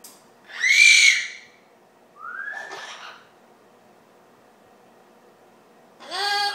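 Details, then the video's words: Pet Amazon parrot indoors whistling a tune, said to be "Old McDonald Had a Farm": a loud harsh whistled note, then a rising slurred whistle, a pause, and a final bright whistled phrase. "Amazon parrot sings "ohh McDonald s had farm ""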